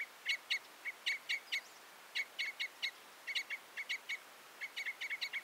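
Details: Short bursts of hard 'kip-kip' notes from a Common Crossbill, often paired, speeding into a quick run near the end; clean, high-pitched and clipped, with a quiet backdrop.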